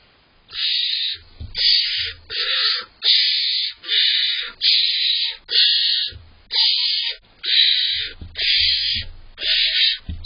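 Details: Barn owl owlets begging and tussling as their father delivers prey in July, the smaller owlet fighting for its share: harsh hissing screeches repeated about once a second in long rasping bursts, with faint thumps beneath.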